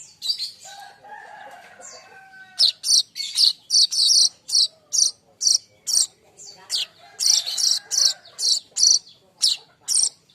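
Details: Young streaked weaver (manyar kembang), a constant singer, used as training song for cage birds: a soft low whistle, then a fast, regular series of sharp high chips, roughly two per second.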